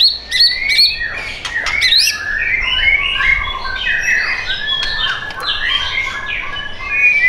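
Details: Captive white-rumped shama at a bird shop in Bintaro, Indonesia, opening with a few sharp clicks, then pouring out rapid, overlapping whistled phrases that swoop up and down.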